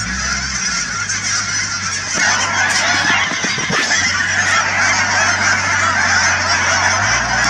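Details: At the Cheam Wetlands in British Columbia, thousands of Canada geese keep up a constant chorus of harsh honks. Individual calls rise briefly above the massed noise, over a faint low droning background.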